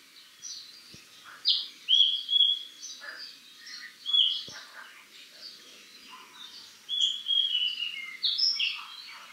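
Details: Male Oriental magpie-robin on Koh Man-nai island, Rayong, Thailand, sings a varied run of clear whistles, slurred notes and chirps, mimicking other birds, possibly the plaintive cuckoo; other faint chirps behind.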